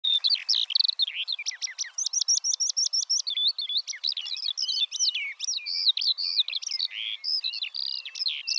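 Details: Eurasian skylark song: a fast, continuous stream of high chirps, trills and whistled warbles, with a rapid run of repeated notes near the start, no pauses throughout.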